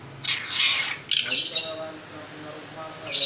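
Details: Long-tailed shrike (pentet raja), a long-tailed bird described as very loud-voiced and in full gacor singing form, giving harsh, hissy, high-pitched rasping bursts: a long scratchy burst, a second grating phrase, a pause, then a fresh burst.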